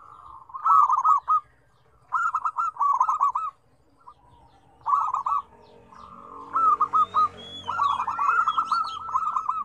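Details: Zebra dove song, lively and varied in tone: repeated phrases of rolling, bubbly coo notes separated by short pauses, building to a longer continuous run at the end, with a few thin higher whistles from another bird mixed in.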